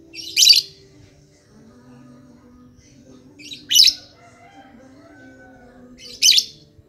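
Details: Lovebird lure call used to prompt other lovebirds to sing: short, shrill, harsh chirps every three seconds or so over a low steady hum, with soft faint tones between bursts.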